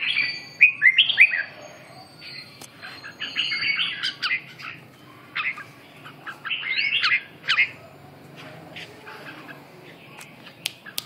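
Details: Red-whiskered bulbul giving short bursts of chirpy warbling separated by quieter gaps, somewhat distant, with a faint hum in the background.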